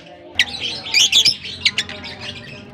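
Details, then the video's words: African lovebirds calling in a colony: harsh, high squawks and chirps in quick overlapping bursts, thickest around the middle, over a faint steady background hum. "African lovebirds colony"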